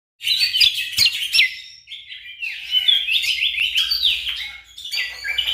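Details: Orange-spotted bulbul in full, dense song used as tutor material for competition songbirds; a continuous run of high, fast, varied whistles and chattering notes with sharp upward flicks, flowing without pause for over five seconds.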